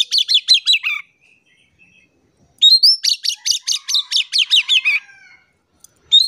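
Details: Oriental magpie-robin singing vigorously as a lure for quiet birds: two loud runs of fast, repeated, high chattering notes about a second and two seconds long, separated by near silence, ending with a rising whistle.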